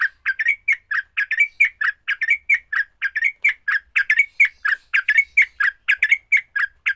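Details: Fighting song of a sooty-headed bulbul, said to make other bulbuls sing fastest: a long, unbroken, rhythmic series of bubbly two-part chirps with short bright whistles, repeated roughly three to four times per second.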